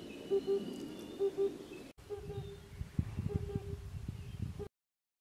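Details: Oriental cuckoos in Ehime Prefecture, Japan, early summer 2021, two males and one female calling together. Low, hollow paired hoots come twice, then a steady low tone under irregular thumping and rustling.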